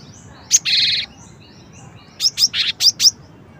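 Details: Cinereous tit: a sharp high note leading into a harsh buzzy churr, then a lively string of five quick high chirps with one buzzy note among them, in a quiet setting.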